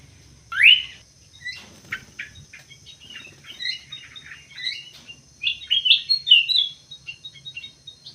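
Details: One loud rising chirp from a munia opens, followed by soft ticking notes and a growing chatter of short, high squeaks and bent whistles. A faint steady high tone runs throughout.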